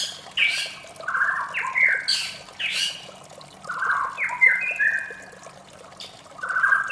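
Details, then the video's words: Morning phrases from a white-rumped shama: rough, buzzy lower notes alternating with harsh bright bursts and thin whistles, delivered in irregular bouts with a soft rushing noise beneath. "suara merdu murai batu di pagi hari"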